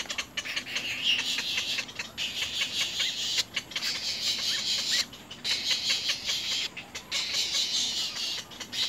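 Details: Little egret babies at the nest, biting their mother: loud hissing, scratchy squawks in long bursts separated by short gaps.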